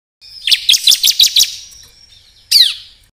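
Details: Bar-winged prinia song used as a lure for trapping and for tutoring songbirds: a fast burst of five or six sharp, high chirps over a thin whistle, then one short descending chirp after a pause.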